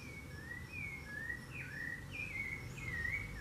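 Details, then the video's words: Rufous-bellied thrush (Turdus rufiventris) sings a run of clear, fluty whistled phrases that slide up and down, several in quick succession, over a low background rumble. "Canto da sabiá-laranjeira"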